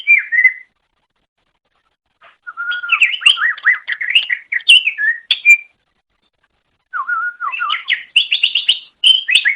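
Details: Greater green leafbird song from a master recording for training songbirds: a short whistled phrase, a pause, then bursts of varied slurred whistles and chirps between low and high notes, ending in rapid high trills.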